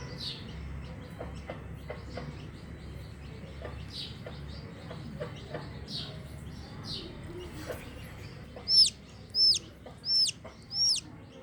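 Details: Chicken chick calling from inside its eggshell before hatching; low faint peeps through most of the stretch, then four loud, high, arched peeps spaced about half a second apart near the end.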